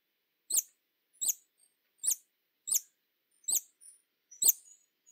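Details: Hummingbird repeating steady, sharp, very high chips about every 0.7 seconds, each a quick downward squeak. A few faint softer notes fall between them in silence.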